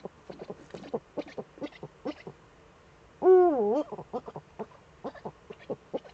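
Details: Eifel, Germany, 11 March 2013 at 18:47, both Eurasian eagle-owls back; steady sharp clicks and knocks throughout, with one loud, low, wavering call dipping and rising near the middle.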